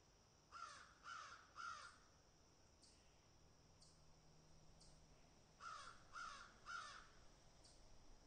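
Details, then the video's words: Crows calling while picking and eating: a set of three evenly spaced harsh caws, a gap of about three and a half seconds with soft clicks, then another run of three caws. "동물 소리, Animal Sound, Crows Picking and Eating"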